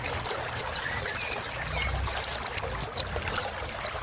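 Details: High-pitched chirping of a kolibri ninja sunbird: quick groups of three or four thin, bright notes alternating with paired falling twitters, evenly spaced over about four seconds.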